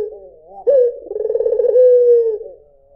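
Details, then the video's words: White Barbary dove cooing once: a low hollow note swells into a rolling, throbbing middle, then settles into a long smooth tone that slowly falls and fades, with no other sounds. "SUARA PUTER PUTIH || JERNIH 3 DETIK LANGSUNG NYAUT || SUARA BURUNG PUTER MERDU"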